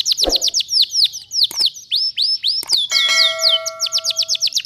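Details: Singing canary used as a tutor and lure recording for magpie-robins. Fast, high, downward-sweeping chirps pour out in quick runs. Near the middle, a steady ringing bell-like tone sounds under the song for over a second.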